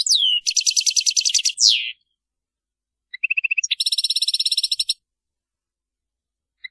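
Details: European goldfinch in Maliki-style song, called error-free: a sweeping whistle into a long buzzy trill, silence, then a short low rattle and a bright rapid pulsed trill, with no other sounds.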